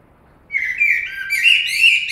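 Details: Common blackbird with a rich, flowing warble of low whistled notes that rises into brighter, higher twittering and carries on without a break to the end.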